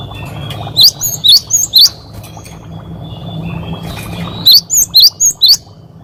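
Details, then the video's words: Training song of a lively cinereous tit: two bursts of four high, sharp, rising-and-falling 'wucit' whistles, about three and a half seconds apart, over steady low hum. "Masteran Burung Gelatik Gacor Wucit Wucit"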